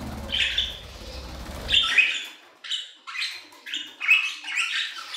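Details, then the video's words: Budgerigars in an aviary, a low rumble at first, then a series of short buzzy chirping phrases roughly every half second. "Budgie Songs - 1 hour of Budgies singing in the Aviary"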